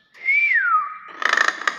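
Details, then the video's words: Nias hill myna, described as tame, giving one pure whistle that holds high and then glides smoothly downward. Rapid rattling taps follow right after. "BURUNG BEO NIAS SUARA ASLI"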